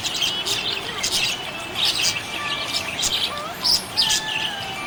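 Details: Happy budgerigar chirping: rapid, bright, scratchy chirps in quick irregular bursts over a steady hiss, with faint thin whistled slides underneath.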